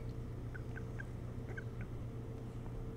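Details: Osprey at its nest on Hog Island near Bremen, Maine, caught by a nest camera in early morning on 3 July 2018: a short run of faint, clipped chirps, evenly spaced, over a steady low electrical hum.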